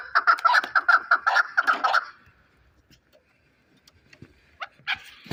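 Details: Chukar partridge kept as a fighting bird in Shahritus, giving a quick burst of loud, repeated clucking notes for about two seconds, then falling nearly silent apart from a few faint clicks and two brief sharp notes.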